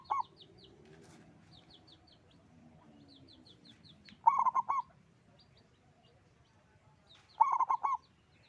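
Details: Repeated bubbling coo phrases from a loud local zebra dove, three heard, each a rapid run of four or five low notes. High, rhythmic chirping of small birds fills the gaps.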